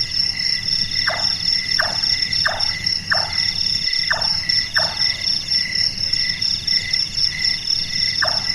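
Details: Night-active Large-tailed nightjar, called burung tukang or carpenter bird: a run of six dull chopping notes about 0.65 seconds apart, a gap of several seconds, then one more note; loud high insect trilling continues throughout.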